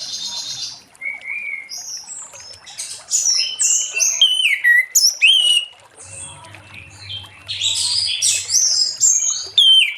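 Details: In late afternoon an orange-headed thrush sings ngeplong to stir other thrushes: a long flowing medley of high whistles, sharp chips and buzzy trills, with quieter gaps and a steady low hum in places.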